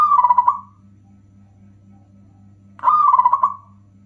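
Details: Loud song of a local zebra dove, meant to excite rival doves and get quiet ones singing. The end of one throaty, stuttering coo, a long pause, then a full pulsed phrase; a faint electrical hum runs throughout.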